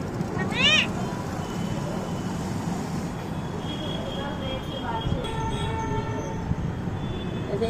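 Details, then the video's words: Friendly talking parrot calling "Mummy" during lockdown: one loud, sharp, harmonic rising burst near the start, then softer, wavering tonal notes over a steady background hum. "Friendly talking Parrot callinig Mummy"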